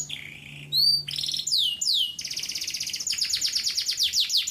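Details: Varied canary song in gacor durasi style: a low buzzy note, clear rising and falling whistles, then a fast rolling trill of sharp downward chips running to the end.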